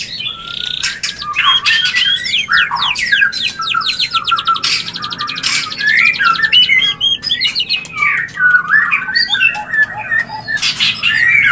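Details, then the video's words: Mating sound of a white-rumped shama, used to induce breeding condition: long, busy sequence of rapid slurred whistles, trills and harsh clicks, with loud squawking bursts throughout. "Murai Kawin Suara Jernih"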